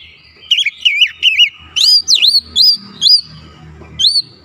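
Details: Oriental magpie-robin song used as a provoking lure for other birds: after soft background hum, a run of bright warbled whistles, then sharp swooping notes in rapid clusters, ending with one last whistle.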